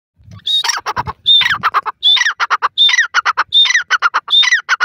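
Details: A francolin (teetar) calling in a village, giving loud, harsh phrases about every three-quarters of a second, each opening with a high squawk and ending in a quick run of clipped notes.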